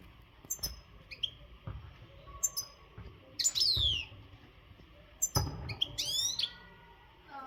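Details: Maghreb-type European goldfinch, untutored and in singing condition, delivers scattered high chirps and brief twittering bursts with rising and falling sweeps, spaced irregularly, over a low background hum.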